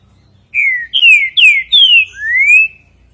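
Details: Green-winged saltator delivering the five-note "bom dia seu Chico boi" song: five loud, pure whistles in about two seconds, the first four gliding downward, the final one rising, against a faint low hum.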